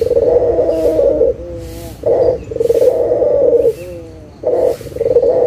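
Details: Gacor local puter dove calling, used as a lure so lazy doves call again: repeated deep, rolling coos, long and short phrases alternating with brief tremulous interludes.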